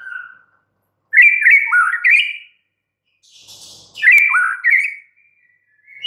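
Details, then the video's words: White-rumped shama delivering two loud bursts of tumbling, slurred whistles, each a fast run of rising and falling notes, separated by a quiet gap with a soft buzzy sound. "murai batu BISU, STRES, MACET TOTAL bakalan NYAUT GACOR dan Kembali FIGHTER"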